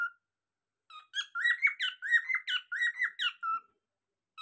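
A cockatiel sings a quick run of bright, warbling whistles that rise and fall in short notes.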